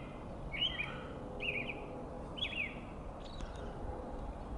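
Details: On a foggy spring morning, a robin sings short, clear warbled phrases about once a second, each a quick run of bright notes, over a steady low background rumble.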